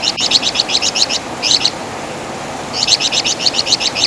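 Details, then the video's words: High rattling song of the flamboyan bird, called Wergan Jawa in West Java: two short bursts of quick chirps, a silent gap of over a second, then another fast run of sharp notes. "Masteran Suara Burung Flamboyan | Wergan Jawa"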